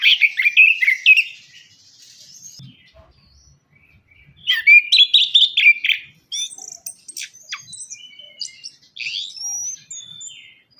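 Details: Orange-headed thrush singing vigorously as a lure for birds slow to sing after moulting: rich, rapid warbled phrases, a pause, another loud run, then softer, varied twittering.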